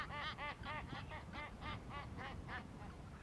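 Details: Emperor penguin chick in Adelie Land, Antarctica, in January, begging a parent for food with a fast string of arched, richly layered whistled notes, roughly three per second, fading toward the end over low rumbling background.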